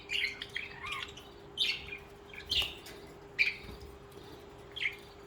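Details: Pet budgerigars singing and chirping: short buzzy, scratchy chirps repeated roughly every second, some warbled, over a faint steady hum.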